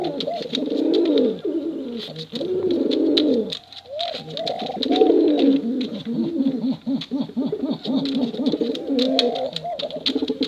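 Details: Male and female competition pigeons in a long, thick chorus of deep rolling coos that swell and dip, with many arched rising-falling notes and frequent clicks and flutters.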